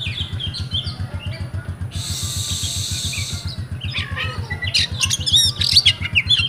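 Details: Oriental magpie-robin kept in Comal, Central Java, Indonesia, giving rewo song. Soft scattered chirps lead into a broad hissing rasp, then a bright run of quick whistled twitters and slurred notes. A low rhythmic throbbing is constant.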